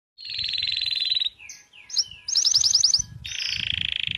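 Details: Canary singing, recorded 11 January 2024: a fast buzzing trill, then brief whistled slurs, a bright rapid rattle of rising notes, and another long buzzy trill, with low background rumble.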